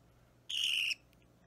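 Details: Budgerigar chick about three weeks old, being hand-fed indoors, photographed 30 March 2017: one harsh, raspy, slightly falling begging squawk of about half a second against a quiet background.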